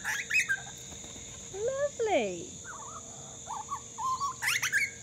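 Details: Fledgling Grey Butcherbird, a native Australian bird, practising its chatter: a couple of short high chirps, then a few rich warbled notes sliding downward, followed by soft, quick fluttering phrases and sharp high notes; a steady electrical hum runs throughout.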